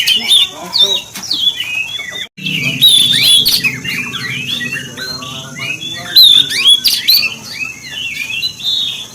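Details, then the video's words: Oriental magpie-robin song used as a lure to provoke other magpie-robins: loud varied whistled phrases and harsh squawky notes around high pitch, with a brief silent break, over a steady low hum. "KACER PANCINGAN EMOSI BURUNG KACER MANAPUN DAN JENIS APAPUN‼️"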